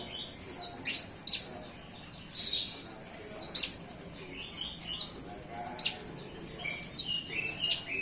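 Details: A hand-reared young bar-winged prinia begins singing with high, thin, upward-flicked chirps spaced under a second apart, with some louder buzzy notes in between.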